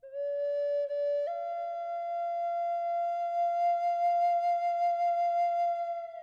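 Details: Solo flute music plays a sustained, steady melody, with one step up in pitch partway through and no animal sounds.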